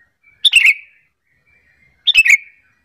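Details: Sooty-headed bulbul decoy call to lure other bulbuls into answering; two loud, harsh chirped bursts about 1.6 seconds apart, each with a thin whistle trailing off.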